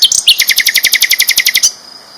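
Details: Sikatan londo flycatcher delivering a vigorous training song: two quick high notes, then a fast, even trill of about fifteen loud repeated notes lasting over a second, which stops abruptly, leaving a faint high tone.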